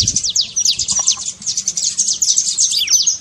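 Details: Energetic trincado of a saffron finch, played to get a quiet bird singing: unbroken torrent of high, slurred chips, very rapid and dense, ending with a few drawn-out downward notes.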